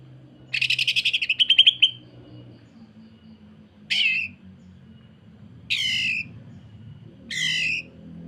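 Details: Greater green leafbird song in the rough sewing-machine style, used to tutor other leafbirds. A fast, stuttering rattle of about a dozen pulses is followed by three short, sharply descending notes, spaced roughly one and a half seconds apart.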